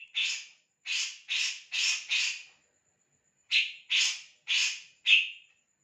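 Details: Harsh, scratchy calls from a bird: a run of five rasping notes, a one-second pause, then four more, the last ending in a brief whistled slur.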